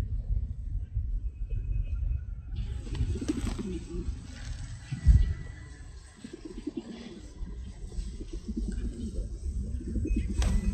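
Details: Low pigeon coos come in bursts between quieter stretches, throaty and rolling, with a brief sharp knock midway and a steady background hum.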